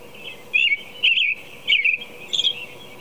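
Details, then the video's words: American robin in predawn song at 4 a.m., four warbling phrases spaced about half a second apart, the last one thinner and higher; low steady background noise. "American Robin Song"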